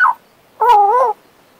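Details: Pet male Western Australian magpie gives a brief slurred note, then one drawn-out, rich whistle that wavers slightly in pitch for about half a second.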